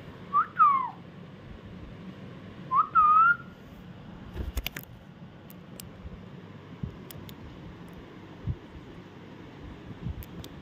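A ringneck parakeet gives two short, swooping whistled phrases about two seconds apart, then goes quiet amid faint clicks and room noise.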